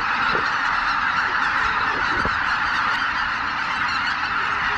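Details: At Miyajima-numa on a dull dawn of 23 April 2017, over 83,000 Greater white-fronted geese lift off from their roost: a thick, continuous babble of honking voices, with a few brief low knocks underneath.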